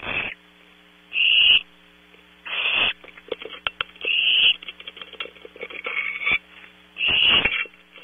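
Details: Barn owl owlets recorded at night by a close-up PTZ camera at Audubon Starr Ranch, California: five breathy hissing bursts over eight seconds, with soft clicks and shuffling between them and a background hum.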